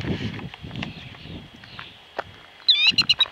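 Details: A mother killdeer guarding her speckled eggs laid on gravel right behind a car gives shrill, high alarm notes near the end, four or five quick piercing cries, after a stretch of low rumbling background noise.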